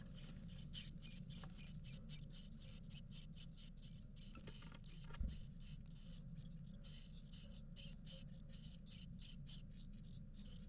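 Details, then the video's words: Nine eleven-day-old great tit nestlings in a nest box camera in Israel, being fed by their parents in March; a dense, high, hissing chorus of rapid begging calls repeated several times a second, with faint low hum beneath. "Parents feeding twice the 9 eleven day nestlings in the live Israel great tit ירגזי CAM"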